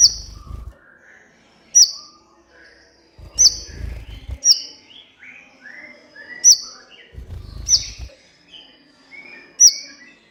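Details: Kolibri ninja sunbird on a training recording for captive birds. Bright, sharp high chips recur roughly every second, interspersed with soft lower warbles and bursts of low thumping noise.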